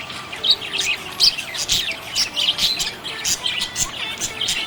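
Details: Happy budgerigars produce a lively tangle of bright chirps and squeaky warbled notes, packed closely together in irregular bursts over a faint background hiss.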